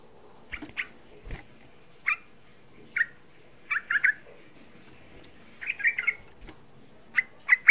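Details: A young sooty-headed bulbul is used as a lure to rouse other bulbuls into calling. Short, clear notes come singly or in quick pairs and triplets, separated by pauses of about a second, over a quiet background.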